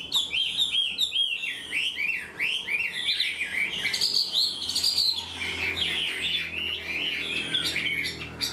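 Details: Chinese hwamei, newly caught yet quick to sing, giving a full structured song like a tame bird: rapid series of clear upslurred whistles, repeated several times a second, then richer warbled and trilled phrases.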